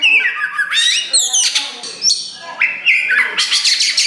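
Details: Kacer wulung, the black form of the Oriental magpie-robin, in loud song while beginning to push its tail, used to provoke rival birds. Harsh squawky notes and rising slurred whistles alternate with brief gaps.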